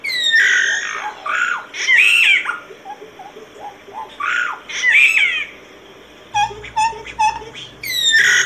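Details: Solitary cacique (boyero pico blanco) singing at length: loud, slurred, whistled and wavering phrases alternating with pauses, then a run of short clipped paired notes and a returning whistled slur.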